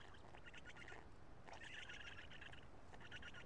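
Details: Black stork chicks at the nest in Karula on 2 June 2017 at 13:59, while an adult male feeds them: faint, scratchy, buzzy bursts in uneven groups over a constant background hiss.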